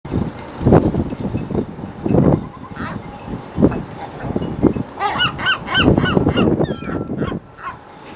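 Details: A Western gull gives a run of harsh, nasal, honking calls in the second half, over low rumbling and thumping noise, as gulls are tossed bread and one swoops in to steal and swallow it.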